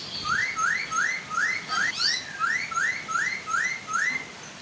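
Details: Chinese hwamei, female and male, singing to draw other hwamei into song: a fast run of rising whistled slurs repeated about every half second, clear and loud, over a soft waterfall hiss.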